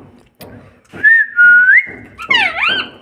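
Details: Parrot producing a long, level, pure whistle with a small upward bend, followed by a squeaky, harmonic, speech-like phrase. Faint low rumbling noise runs underneath.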